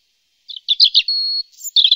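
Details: European robin singing in March 2013: a high, thin, liquid phrase of quick tumbling notes, one long level whistle, then a fresh rippling burst, with no other sounds heard.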